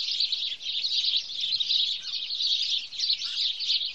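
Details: Flock of house sparrows recorded in Wittlich in 2017, chattering steadily: shrill, overlapping chirps packed tightly together, about eighty-five bursts a minute, with no pauses and little else audible.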